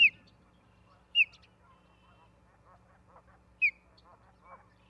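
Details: At a Charlo, Montana nest on 17 August 2023, an osprey gives clear high down-slurred whistles, three spread over five seconds, with soft lower chatter and rustling between them and a constant low hum.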